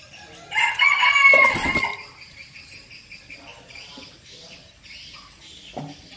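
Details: Crow of a male red junglefowl kept as a hunting decoy, a loud harsh crow of about one and a half seconds with a buzzy rattling ending, then faint bird chirps and a soft thump.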